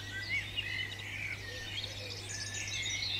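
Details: Garden in the UK with a European robin delivering a high, liquid warble of varied short notes and slurred whistles, fairly faint against a constant low electrical hum.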